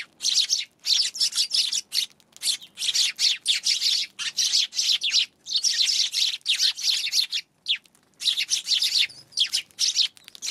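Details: Eurasian tree sparrows on January 11, a dense, loud chatter of high chirps in tight bursts nearly all the way through, broken by brief gaps.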